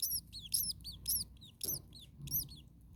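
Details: Common starling nestlings, very hot in an attic nest on the second day, a parent nearby: rapid clusters of high, bent, squealing notes with strong overtones, briefly broken by a soft thump.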